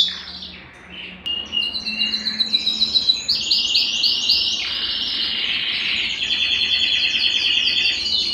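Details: ['Belgian canary song used to warm up males and bring hens into breeding condition: a quiet start, then choppy high trilled phrases that build into a dense, continuous warbling stream.']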